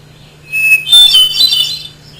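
A hermit thrush sings one clear, held whistle, then a burst of fluty, ringing notes that leap higher, over a faint steady hum.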